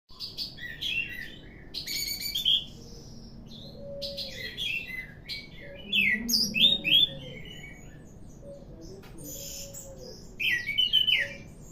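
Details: Ringed orange-headed thrush singing more vigorously each day: bursts of varied high whistles, sharp chirps and rich trilled phrases in quick succession, with short pauses between, over faint low hum and soft lower tones in the background.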